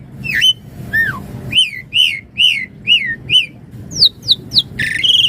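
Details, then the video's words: Javan pied starling singing isian mompa variation meant as a master song and lure: a series of arched whistles repeated about every half second, then quick falling notes and a harsh buzzy ending. "Suara Jalak Suren Gacor Isian Mompa Full Variasi"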